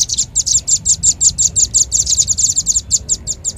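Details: A lure call of the red-billed leiothrix: a steady, rapid string of high, sharp chirps, about five per second, each bright and clipped. The notes are closely bunched and run without a break over a soft low hum.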